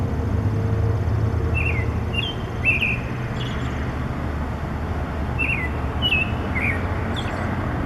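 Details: Bird on a wire singing in early morning, delivering scattered short whistles that bend up and down in pitch, with a strong low traffic drone throughout.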